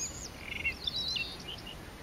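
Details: White-throated robin on Lesvos in 2013 singing a fast, scratchy jumble of high twittering and sliding whistled notes, with a steady high hiss in the background.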